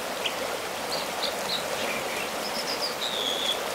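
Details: Rock-perched American dipper singing at a secluded site northwest of Bishop, California; sparse high whistled notes and downslurs, ending in a longer drawn-out whistle, over constant stream noise.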